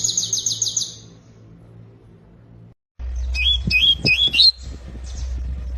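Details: Canary opening with a short, high, rattling trill. After a brief pause comes a run of clear, rising whistled notes over a steady low hum and some knocking sounds.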